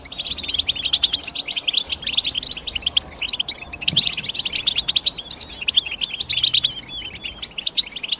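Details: European goldfinch twittering at length: dense high chirps and buzzy trills with a few slurred whistles, continuous for over eight seconds with faint low hum.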